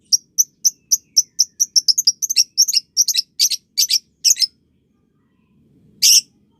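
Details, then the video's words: Juvenile-training lovebird chatter: a quick series of shrill chirps accelerating into a rattling trill of buzzy notes for about four seconds, a pause, then one harsh squawk. "Masteran Love Bird Paud & Balibu Dijamin Latah Ngekek"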